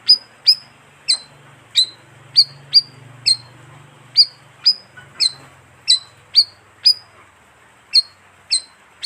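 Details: Lure call of the bayeman bird: a quick run of bright, high chirps, each a short dropping flick, coming irregularly about twice a second over a low hum.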